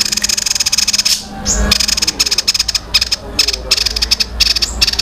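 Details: Young caged songbird, said to sound like a fighting sparrow (gereja tarung), delivering a long, tight rolling song: rapid high ticking pulses in dense bursts separated by short gaps, over low background rumble.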